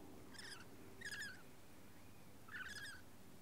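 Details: Lorikeet giving dominance display calls: three short harsh screeching notes, spaced about a second apart, heard somewhat faintly over a steady low background hum.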